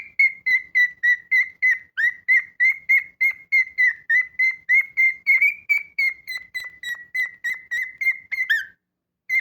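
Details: A pet cockatiel gives a long, regular series of clear whistles, each short and level with slight rises and falls, about three per second, ending in a falling slur before a short silence.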